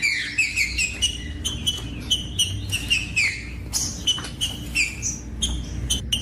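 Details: Green-winged saltator song meant to encourage other birds to sing: short whistled notes repeated in a quick, uneven series, with many sharp clicks between them.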